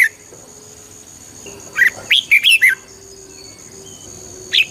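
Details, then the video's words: Red-whiskered bulbul song, for rousing listening birds: an isolated whistle, then a bright phrase of five punchy slurred notes around the two-second mark, and a single note at the close, with faint soft tones between. "เสียงนกกรงหัวจุก ชัด 100% เปิดต่อ ให้นกคึก"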